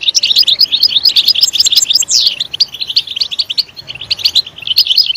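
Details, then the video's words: European goldfinch singing loudly: a rapid, continuous twitter of high, tinkling chirps and short trills, with a brief rising slurred note near the middle and no other clear sounds. "Stimulating a goldfinch clip to make it chirp in a loud and wonderful voice"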